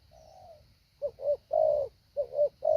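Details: Training decoy spotted dove for luring wild birds: a faint drawn coo, then a clear phrase of two short coos and a long one, and the start of another, all low and mellow.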